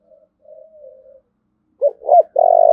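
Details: Spotted dove cooing, used to train decoy birds and rouse males: soft faint coos first, then after a pause two short hoarse notes and a loud sustained coo cut off at the end, in quiet surroundings.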